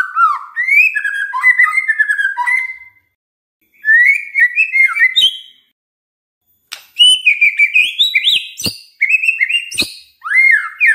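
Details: Song of a white-rumped shama, meant to coax other shamas into lively song: varied rich warbled phrases of slurred whistles and sharp clicks, in three bursts broken by short silences.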